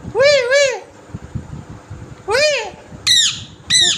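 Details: Green parrot calling indoors: two arched, harmonic-rich squawks early, another similar call midway, then two higher, harsher screeches at the end, with low background rumble.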